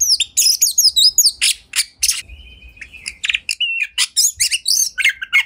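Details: Oriental magpie-robin (kacer) kept at home, loud ngobra singing to prompt other birds to sing their learned phrases; twittering high sweeps, then buzzy bursts and a flat sustained whistle, quick chirps to the end.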